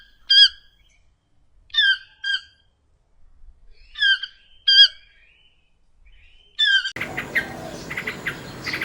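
Toucan giving six harsh, nasal yelping calls, some single, some paired, at uneven intervals; a rush of broad noise cuts in at the end.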